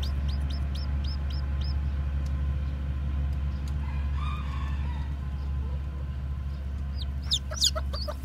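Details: Newly hatched white, black-tailed bantam chicks give quick high peeps while walking, then fall quiet as a faint crow sounds, before sharp peeps return; a low engine-like rumble runs throughout.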